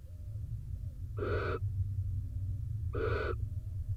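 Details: Barn owls in a nest box in Israel during rain, with the male back from his daytime roost beside the incubating female. Two rough hissing bursts, each under half a second, nearly two seconds apart, over heavy low background rumble.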